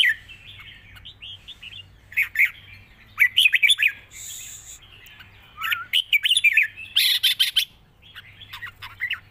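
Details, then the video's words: Red-whiskered bulbul song in phrases of bright, fluid whistled notes, some warbled and some rising, sung in bursts with short pauses; soft low hum in the background. "ปากเบา+ร้องง่าย เพลงยาวมีริก #นกกรงหัวจุก"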